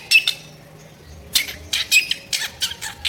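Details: Drongo giving coarse, rasping notes as tutoring fill for cage birds: a short scratchy burst, a pause, then a quick run of harsh chattering notes.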